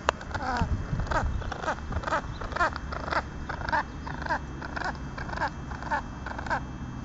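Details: A male pheasant gives a run of short, harsh, croaking clucks, nearly two a second at an uneven pace, over a low rumble of outdoor noise; he calls at the person filming him and seems annoyed at being filmed.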